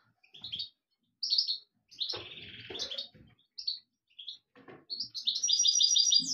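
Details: European goldfinch song, a lively series of short tinkling twitters and chirps, then a rapid liquid trill near the end; a soft buzzy, lower note appears around two seconds, in a quiet indoor setting.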